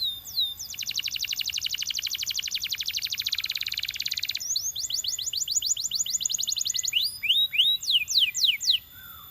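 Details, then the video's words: Belgian canary singing a long buzzy trill, then rapid repeated falling notes, ending with a few louder sweeping whistles. "Belgian Canary Singing"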